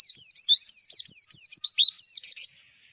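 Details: White-eye song used as a lure recording to get birds singing and raise their breeding drive, for competition birds: quick high whistled notes sliding up and down, about a dozen phrases run together, then ending abruptly.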